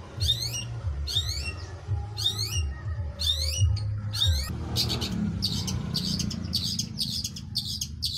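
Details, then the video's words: Long-tailed shrike in energetic song: five sharp downward-sweeping whistled notes about a second apart, then a run of quick, scratchy high chirps, with a low droning hum underneath throughout. "cendet gacor manteb banget"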